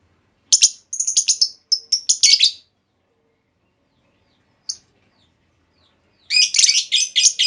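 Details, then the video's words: Female lovebird call meant to lure a reply of long trilling: a run of sharp, shrill chattered notes lasting two seconds, a lone chip after a pause, then another dense burst of high, buzzy chirps. "Pancingan Burung Lovebird Betina! Bakal Langsung Respon Lovebird Segala Kondisi Auto Ngekek Panjang"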